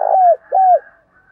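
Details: Spotted dove male and female lure calls of the local field style, used to provoke fighting; two loud, smooth, low coos, each slightly falling at its close, half a second apart, followed by quiet.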